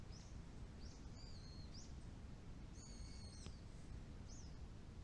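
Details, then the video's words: Shiba Inu dog Kojiro listens to birds calling a lot after rain stops, beside a neighbourhood plum orchard checked for blossoming; faint, high, short arched chirps about once a second plus a longer thin whistle over steady low outdoor rumble. "鳥の鳴き声 Chirping of birds"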